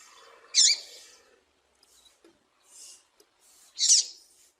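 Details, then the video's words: Female double-collared seedeater piping call for exciting tournament males: two strong, high, harsh chips about three seconds apart, separated by faint breathy notes, over a light low murmur. "Piado de fêmea de Papa capim para Esquentar e foguear Papa capim"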